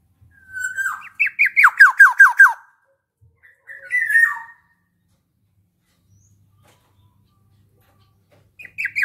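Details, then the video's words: Black-naped oriole giving a run of five loud, nasal, downslurred notes in quick succession, with single harsh slurred calls before and after, separated by pauses of silence. "Ada Podang Gacor"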